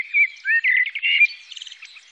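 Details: Female common blackbird giving a rapid warbling run of mid-pitched chirps and slurred notes that trail off into softer, higher twittering.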